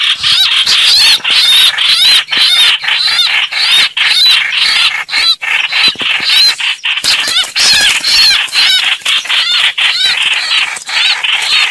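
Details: Streak-eared bulbul lure recording for bird trapping: a continuous run of bright, squeaky notes and quick rising-falling slurs, packed closely and broken by brief pauses.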